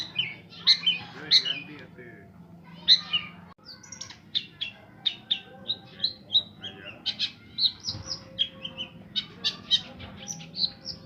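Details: Long-tailed shrike, said to imitate the calls of 40 bird species, delivering a varied string of short squawks, chips and whistled notes, roughly two per second, with a low hum and faint voices in the background.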